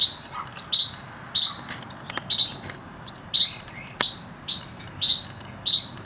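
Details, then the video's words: Carolina wren nestlings in a nest in a strawberry hanger, within 12 days of hatching, give short, high, thin chirps about twice a second in overlapping bursts, with a faint steady high tone and one sharp click. "Baby Birds Baby Wrens"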